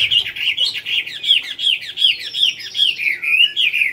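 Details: Chinese hwamei competing in a singing-contest final at Mỹ Đình, 19 July 2020, sings loud, rich whistled phrases, about three each second, bright and slurred up and down, over faint room murmur.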